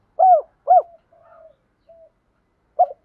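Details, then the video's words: Spotted dove cooing, meant for luring and daily coo training. Two loud arched hoots, followed by soft trailing murmurs and a faint short note, then one more hoot after a pause. "Chim cu gáy dùng tập bổi và luyện mồi gáy theo hàng ngày rất hiệu quả"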